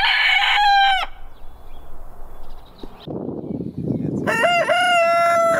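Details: Rooster crowing twice: a drawn-out harmonic call ending in a long level note, then a second crow that starts with a stuttering rise and settles into a steady tone, with a noisy rustling gap between them.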